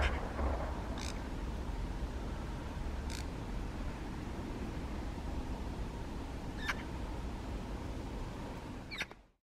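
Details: A Eurasian magpie feeding on rowanberries calls softly at the recordist. Four brief, dry, clicking notes are widely spaced and irregular over a constant low rumble, and the sound cuts off abruptly at the end.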